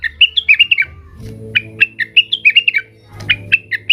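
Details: Agitated blue-winged leafbird calling to rivals, pouring out three runs of sharp, bright, slightly warbled chirps, each of five to ten notes, over a faint low hum.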